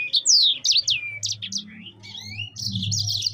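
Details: High, sweeping whistles and short chirps from a yellow-fronted canary (sanger), sliding down steeply then fading into scattered notes before a fresh trilled burst; a steady low hum runs beneath.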